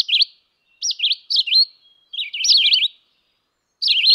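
A Red-eyed Vireo sings short, slurred whistled phrases, rising and falling, each separated by a brief pause in a steady questioning series. No other sounds.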